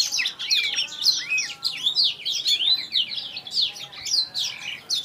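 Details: Clear-voiced Blacktrout Somerini finch young from a Klaten breeder: lively, high, overlapping chirps and looping slurred notes in steady pulses.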